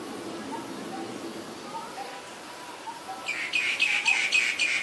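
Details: Female Asian koel: a few soft, faint notes, then a sudden loud burst of harsh, rapidly repeated notes, about four per second, lasting over a second.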